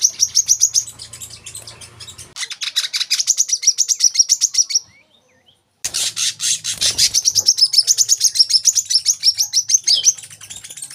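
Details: Olive-backed sunbird song, used as masteran so young cage birds sing eagerly: long, rapid, high, buzzy trills with notes repeated quickly, broken by a brief silence, with a faint low hum underneath.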